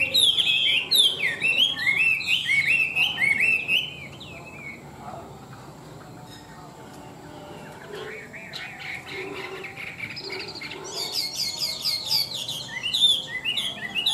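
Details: Tame Chinese hwamei in loud song: a run of rich rising and falling whistled phrases, a quiet pause of several seconds, then dense buzzy trills and varied whistles resuming near the end.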